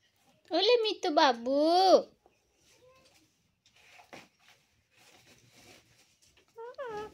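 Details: Talking hill parrot mimicking the word "mummy": two quick voiced syllables followed by a longer falling-rising word, a pause with faint rustles, and a shorter voiced sound near the end, recorded indoors.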